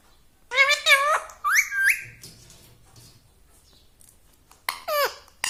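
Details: Pet ring-necked parrot indoors uttering three quick squeaky talking syllables, a pause with faint room noise, then two more bending squawks near the end.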